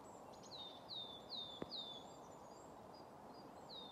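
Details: A willow tit sings in Grandungen, Haga, on 10 March 2024, a short run of clear, high whistles, each sliding downward, about two per second, over a steady low rumble of background noise.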